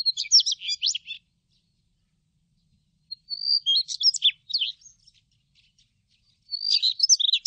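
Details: A Daurian redstart, recorded in Korea in 2020, sings short, high, scratchy twittering phrases about a second long, repeated every two to three seconds in near silence.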